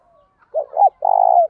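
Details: Spotted dove decoy calling to lure wild doves: a brief low coo, a rising second note, then a long level, slightly throbbing hoot.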